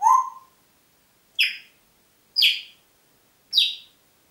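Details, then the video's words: Congo grey parrot in a home at Diebach near Hammelburg, Germany, April 2012: a lower rising whistle, then three sharp, higher downward chirps spaced about a second apart, each short and bright, in a quiet room. "Kongo-Graupapagei pfeift pfeifen"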